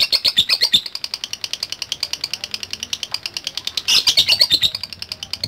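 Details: Fast, shrill chirping stream from a lovebird answering a lure recording, in the ngetik style, with a harsher, louder burst midway.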